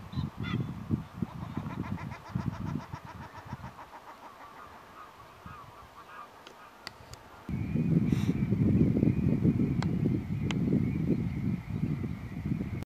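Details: March flock of pink-footed geese among other geese at RSPB Snettisham in Norfolk; quick series of nasal yelping honks for the first few seconds, then a pause and heavy low rumbling noise.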